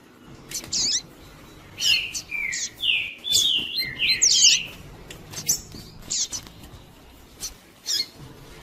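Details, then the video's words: Double-collared seedeater singing "tui tui" song, used to provoke and warm up males: a string of clear, slurred whistled notes, each dipping then rising, roughly one a second, mixed with high twittering and sharp clicks. "ESQUENTAR QUALQUER COLEIRO TUI TUI PURO"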